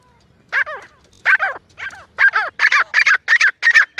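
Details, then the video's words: Francolin (jungle partridge, teetar) calling: loud, harsh, nasal notes in a quickening series, about eight in four seconds, each with a rough rising-falling tone. "Francolin Calling Voice"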